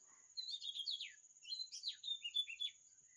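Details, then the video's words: Oriental magpie-robin singing a rich, varied run of sweet whistles and fluty slurred notes, some rising and some falling, over a faint steady high hiss. "Sound of Oriental magpie-robin"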